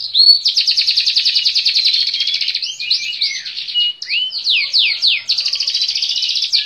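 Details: Canary song of long rapid buzzing trills broken by swooping slurred notes, then another fast trill.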